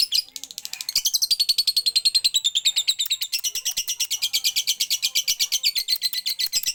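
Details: Lovebird singing 'siren' style, an unbroken, very fast, high chattering trill that rises at the start and then runs on evenly for several seconds, with faint background noise.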